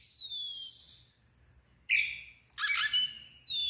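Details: Ngeplong song from an agitated Oriental magpie-robin spreading its tail: a thin descending whistle, then two loud, harsh, scratchy bursts separated by short pauses.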